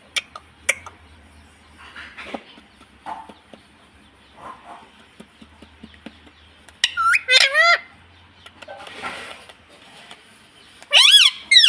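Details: Pet rose-ringed parakeet in India, talking "mummy" and "papa": two bursts of harsh, nasal, speech-like phrases with wavering rising and falling pitch; soft clicks and room noise fill the gaps.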